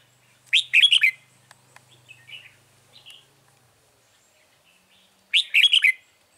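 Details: Two loud, rapid warbled phrases of a Red-whiskered bulbul about five seconds apart, separated by soft clicks and quiet short chirps; bird trapping on 9 March 2020.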